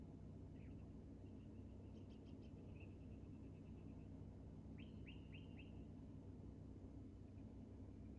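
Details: Hummingbirds active at a feeder: faint, thin high chips in quick short runs, then a tight series of four sharp down-slurred chirps, all over a steady low background hum.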